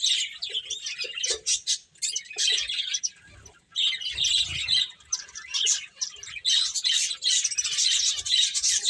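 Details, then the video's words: High, crowded chirping from playing finches, with bursts of rapid tweets, a short lull near the middle, then renewed chatter. "Cute Birds Chirping Sounds | Beautiful Finches Playing"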